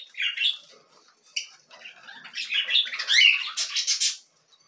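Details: Cockatiel chicks being fed: an opening rasp, a quiet stretch, then a swelling run of harsh, buzzy begging squawks that climbs to a loud hissing peak before stopping.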